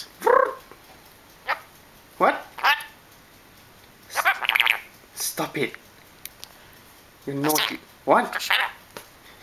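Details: A pet male lory, Lori, argues with its owner in short, squawky, speech-like bursts, mimicking words like "shut up" every second or two and trading quick phrases with a person's voice.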